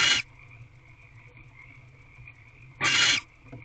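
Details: Harsh hissing screeches from a female barn owl inside an owl box, looking through the entrance at dusk in late March. One screech ends at the start, and a full half-second screech follows after a pause. A steady high-pitched hum persists throughout.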